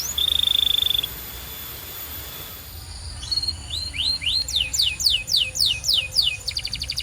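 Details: Training song of a canary for other canaries: after a pure steady whistle and a stretch of background hiss, quick rising notes lead into a regular series of sharp downslurred chips and a short rattling trill.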